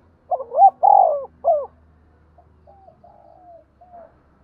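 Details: Spotted dove with giọng đồng voice, a lure to provoke wild giọng thổ birds; one loud phrase of three low coos, followed by softer, drawn-out faint coos.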